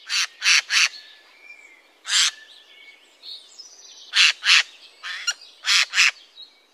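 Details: Adult Eurasian jay producing harsh, grating screeches, some in quick pairs or triplets and others single, repeated irregularly, with soft background chirping and thin whistles from other birds.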